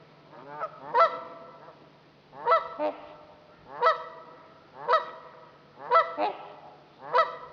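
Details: Trumpeter swans on Dixon Lake, Itasca County, Minnesota, give loud, nasal, horn-like honks, usually in doubled or tripled bursts about once a second; a faint low hum runs underneath.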